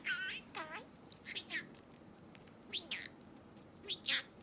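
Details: Pet budgerigar calling, aimed at finding a lost bird: a pair of nasal, wavering whistled notes, then scattered squeaky chirps and a few short scratchy bursts.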